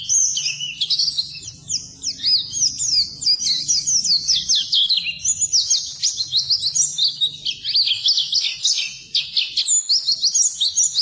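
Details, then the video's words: Oriental white-eye in a long bout of training song for birds that have gone quiet; eleven seconds of rapid, thin, high twittering with quick slurs and short chips, barely pausing. "Suara Burung Pleci Masteran Pleci Full"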